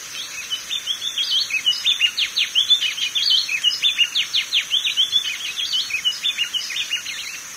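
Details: A seedeater (coleiro-do-norte) sings a fast, unbroken run of sweet, twittering and buzzy notes with quick downslurred trills, over a thin steady high hiss.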